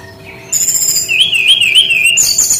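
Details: Brown-chested jungle flycatcher singing in a unique 'tembakan' style: a high thin whistle, then a run of bright warbled notes rippling up and down, ending in a sharp burst of high, rapid chips.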